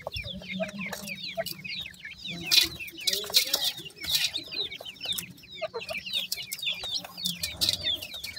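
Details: Fresh grey francolin chicks keep up a dense twittering of high, rising-and-falling peeps, several birds at once, with some low background hum and sharp clicks.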